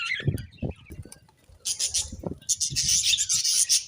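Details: Several budgerigars chatter in high, scratchy chirps that build after a quieter start, with low thuds and knocks underneath.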